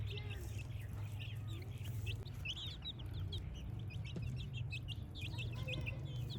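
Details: A group of playing baby chicks keeps up a dense chorus of high, quick peeps, many overlapping and rising, over a steady low rumble.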